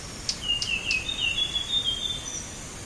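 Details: Lure recording of blue whistling thrush for bird trapping, with three sharp high clicks followed by long, thin whistles gliding up and down against constant hissing noise.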